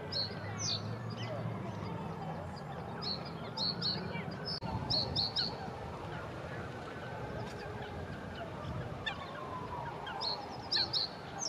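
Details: A male reed bunting sings in a reed bed by the Diana memorial fountain, repeating a brief phrase of a few sharp, high chirps every few seconds over a low rumble, with a reed warbler possibly audible.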